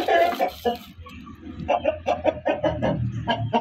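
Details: Loud hen cackling: a harsh opening squawk, then a string of sharp, quick clucks repeated several times a second over a steady low hum.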